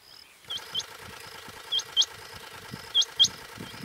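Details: A female Rain quail, recorded in July 2024 on the outskirts of Bhigwan near Kumbhargaon, India, gives short, high, sharp paired notes about every 1.2 seconds, over a steady low hum like an idling engine.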